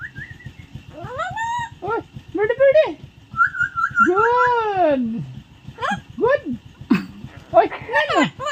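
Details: English-speaking pet Amazon parrot mixing clear whistles and voice-like phrases: rising slurred notes, a fluttering level whistle, a long arched syllable, then quick upward chirps near the end, with a low rumbling hum underneath.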